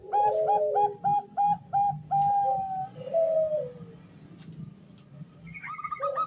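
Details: Female zebra dove calling to the male, used as a lure call: rapid string of short whistled notes followed by a long held note and a lower falling phrase, with a faint higher chirping near the end.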